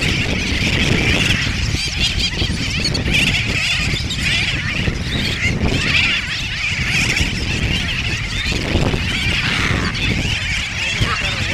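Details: Brown noddies (Anous stolidus) at Johnston Atoll, June 19, 2001: harsh, croaking, goose-like calls overlapping continuously in a busy colony chorus, with steady wind rumbling underneath.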